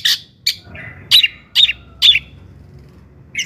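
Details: Long-tailed shrike singing to rouse other shrikes: a handful of loud, rasping notes with thin whistled tips, spaced about half a second apart.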